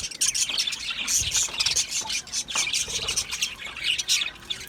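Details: Chirping budgerigars: continuous bright, buzzy warbling from several birds at once, with quick repeated squeaks and chirps layered over each other throughout.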